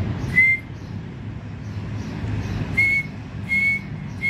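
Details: Male grey francolin, known locally as dakhni teetar, calling: loud, clear whistled notes, each short and steady in pitch with faint overtones. One note comes early, then three close together near the end, over a constant low rumble of background noise.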